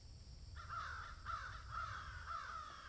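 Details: Crow calling while eating food, giving harsh caws at a steady rate of about two per second after a half-second pause, with a low hum underneath.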